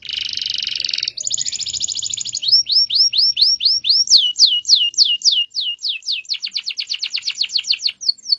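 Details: Cage-kept canary with a long rolling song: dense rattling trills, then a long run of repeated curved whistled notes sweeping down, speeding into a quick trill.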